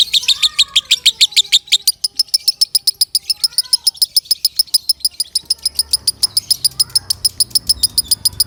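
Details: Loud lovebird song meant for tutoring other birds: an unbroken string of piercing, clipped chirps, roughly four a second, with softer whistled sweeps from other birds beneath and a low rumble near the end.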